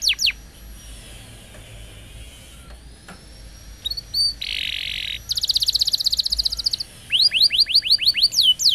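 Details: Young pet canary in a training recording meant to prompt singing; after a quiet start, brief notes lead into a dense buzzy trill, a rapid chattering roll and a run of rising whistled sweeps.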